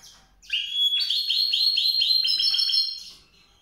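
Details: A white-rumped seedeater sings a rapid rolling warble, a run of quick, evenly repeated high chirps lasting about two seconds, clear and close.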